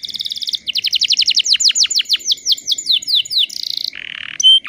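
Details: Canary lure recording for provoking other canaries to sing: a buzzy trill opens into a run of steep descending sweeps, ending with a low harsh burst and a thin high whistle.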